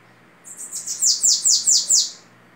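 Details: Bananaquit delivering a 'belga'-style song phrase, noted for its orderly delivery. Seven or eight sibilant, high-pitched downslurred notes follow one another rapidly, growing louder toward the middle, then the phrase ends cleanly.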